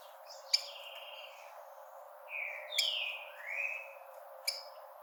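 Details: Tico-tico, the rufous-collared sparrow, in a 'bravery' call used to excite birds early in the breeding season: a sequence of smooth whistled notes, a level whistle then a falling slur and a rising one, with crisp clicks between.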